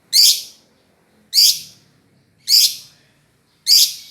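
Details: Lovebird repeating a piercing, scratchy chirp at a steady pace, about once every 1.2 seconds, four calls in a row.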